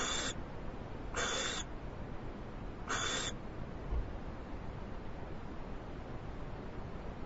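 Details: Captive owl being fed a large treat, giving three short, harsh, hissing bursts about a second apart, each under half a second long, over a steady low background hum.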